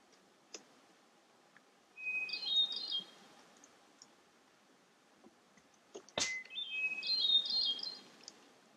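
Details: Hermit Thrush singing during a walk through the bog at Parc Frontenac, St-Daniel sector. Two clear phrases about four seconds apart each begin with a long pure whistle, then break into higher, shimmering fluted notes. A sharp click sounds between them.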